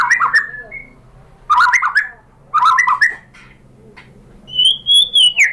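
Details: White-rumped shama singing a lure meant to make rival shamas answer: scratchy chattering bursts with a short whistle, then a high, sustained clear whistled phrase that dips at the end.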